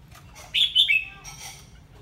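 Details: Chinese hwamei giving a short, loud whistled phrase of two or three clear notes sliding downward, followed by a softer high trailing note, over low background rumble.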